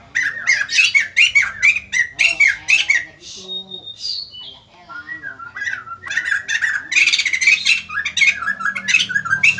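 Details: White-crested laughingthrush in lively song that sets other birds responding: loud bursts of raucous chattering, broken mid-way by a few clear, drawn-out whistled notes, then another rapid chattering outburst.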